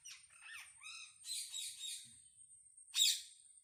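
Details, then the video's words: Wild parrots communicating, a mix of short nasal chattering notes with clear banded harmonics, then rasping squawks and a sudden loud shrill screech near the end, over a faint steady high tone. "Unbelievable sounds of parrot -amazing wild parrot sounds"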